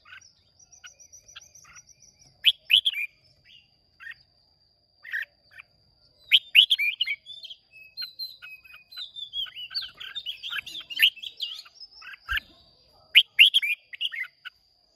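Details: Contest singing by Red-whiskered bulbuls of Hoa Binh origin, Vietnam, 30 May 2023: soft twitter, then loud chirped phrases and a long busy stretch of overlapping warbles and slurred whistles, with a faint constant high whine.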